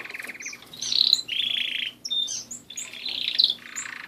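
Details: Pet canaries singing a rapid song of buzzy trilled rolls and bright whistled notes, several rolled phrases in quick succession with a short break near the middle; a low steady hum underneath.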